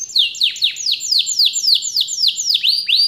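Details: Canary from a private collection in song, delivering a clear series of high, downward-sweeping whistled notes repeated about four times a second, evenly paced and bright.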